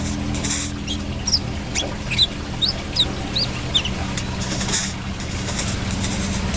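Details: Brown-throated sunbird in full song: short, sharp, high chirps, some slurred downward, come in an irregular string roughly once a second over a steady low hum and broad background hiss.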